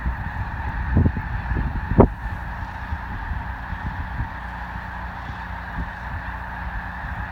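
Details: Migrating snow geese resting at Columbus, Nebraska: a massed flock keeps up a steady wall of nasal honking, with a sharper nearby thump around two seconds and low background rumble.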